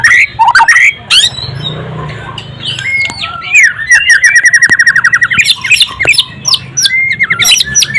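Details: Golden-voiced white-rumped shama (murai batu) singing: loud opening whistles, then a long run of rapid repeated notes over a sustained whistle, ending in scattered bright slurred phrases; faint low background hum.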